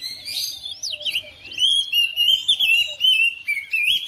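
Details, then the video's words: Oriental magpie-robin at home, responding to another bird with sweeping whistles and a long rambling run of chirps and warbled notes, loud and continuous. "DALAM HITUNGAN DETIK KACER RUMAHAN RESPON NYAUT IKUT GACOR"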